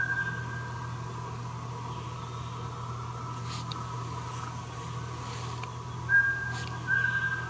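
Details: Mountain scops owl (Otus spilocephalus, Taiwan subspecies) recorded at Meinong, Taiwan, on 3 September 2020, giving two short, clear whistled notes near the end, under a second apart, over a steady low mechanical hum.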